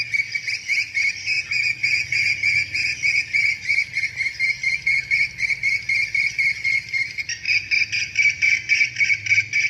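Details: Edited swiftlet lure playback, said to make swiftlets chase their partners: a dense stream of bright, twittering chirps repeated about three to four times a second, steady and echo-like, with a low hum underneath.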